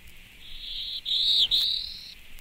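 Black-throated Blue Warbler song: a high, buzzy, drawled phrase of about three notes, the last pitched slightly higher, lasting under two seconds.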